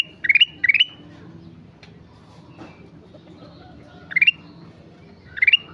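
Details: Actively singing sooty-headed bulbul: short bright phrases of three or four quick notes stepping upward, heard as two close bursts at the start and two more after a long pause, over a faint low background hum.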